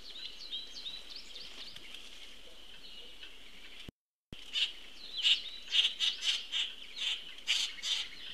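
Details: Common grackle juvenile fed by its parent, 22 June 2018, Cornell Lab feed: thin high squealing notes at first, then after a short break a rapid run of sharp squeaky calls about twice per second.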